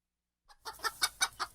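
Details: Chicken clucking: a soft short note followed by five evenly spaced clucks, about one every fifth of a second, in a quiet setting.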